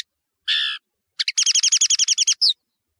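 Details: Serin song, a bird named nino in Algeria and camacho in Morocco, on a tutoring tape: a single long buzzy note, a pause, then a quick run of about a dozen identical high chirps ending in a slurred note.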